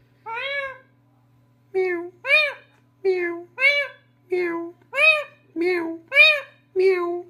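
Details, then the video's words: Pet talking parrot calling in a cat-like way, a string of ten short nasal meow-like calls with rich harmonics, spaced roughly half a second to a second apart, indoors with a steady low hum. "mithu bili ban gya"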